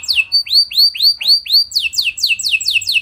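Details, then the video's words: Canary song used to provoke other canaries: loud arching whistles about two per second, then a quicker run of sharp downward notes. "Bakal Bikin Emosi Burung Kenari Lain Langsung Nyaut Gacor Ngeroll Panjang"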